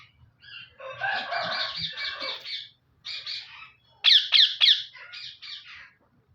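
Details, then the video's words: Active caged male parrot calls in raspy, chattering squawks, pausing, then gives three loud sharp shrieks in a row followed by softer grating notes. "Active Male parrot. enjoying in cage."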